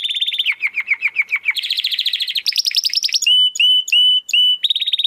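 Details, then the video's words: Persistently singing domestic canary with a crystal-clear voice, recorded to train competition birds; quick downward-sweeping chips give way to buzzy high rolls, then sustained pure whistled notes repeated several times, all loud and close. "Kenari Gacor Suara Kristal Buat Masteran Burung Gantangan"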